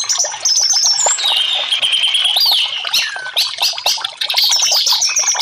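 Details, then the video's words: Orange-headed thrush song, played to coax silent caged birds into singing: a dense, rapid run of loud whistled and chattering phrases, with clear pure whistles sliding down and up between them and harsh scratchy notes throughout. "TERAPI Burung Anis merah 5menit burung macet langsung respon"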